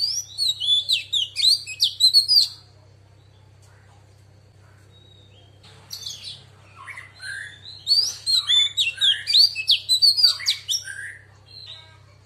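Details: A female Oriental magpie-robin sings a 'wild voice' song meant to stimulate males. Rapid clusters of sharp whistles and chirps come in two long bursts separated by a short quiet gap, with a low constant hum behind.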